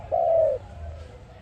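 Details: ARIMIX dove, a sound used for trapping. A lone, drawn-out coo lasting about half a second, easing slightly downward, then low background hum.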